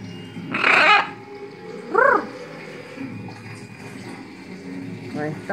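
A macaw gives a loud, harsh, dog-like bark, then a shorter rising-and-falling bark with fainter calls later. A woman talks quietly in the background.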